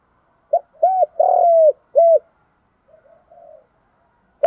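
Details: Decoy spotted dove calling at morning to draw in wild doves; a four-part phrase of clipped coo, arched coo, long burry coo and closing coo, then soft faint murmuring notes afterward.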